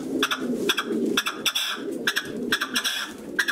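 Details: Male red-legged partridge singing: harsh, rasping chuffing notes in tight bursts of several pulses, repeated about every half second, over a steady low cooing murmur in the background.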